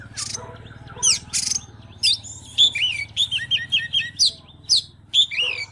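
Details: Oriental magpie-robin in excited song with display dancing: sharp high chips, then a busy stream of warbled, downslurred whistles, over a steady low hum in the background.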